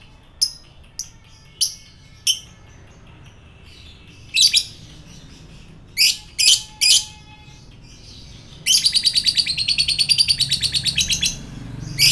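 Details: Provoking sound for fighter lovebirds: scattered sharp chirps and short harsh bursts, then a long rapid chattering trill toward the end.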